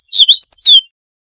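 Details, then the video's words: High, rapid phrase from a meadow bunting: about five bright slurred notes, some dipping and rising, ending in a downward whistled slur, then silence. "Escribano Siberiano"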